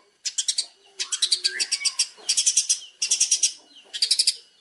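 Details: Long-tailed shrike training master song: rhythmic bursts of four or five harsh, buzzy chattering notes, repeated in groups roughly every second, with faint softer warbling underneath.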